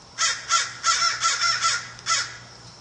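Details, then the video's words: An American crow gives six harsh, raspy caws in quick succession, loud and broadband, with a steady faint hum underneath. "american crow"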